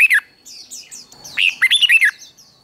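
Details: Red-whiskered bulbul, a singing-contest bird trained for competition song: a short loud note, faint high chirps, then a rapid burst of five or six warbled, slurred whistles falling and rising between mid and high pitch, with a steady faint high tone behind.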